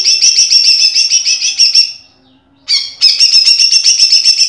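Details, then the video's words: A greater green leafbird sings loud, rapid chattering phrases of high, ringing notes, pausing briefly before a sharp burst and another fast run. "Masteran Cucak Ijo Full Isian Tembakan"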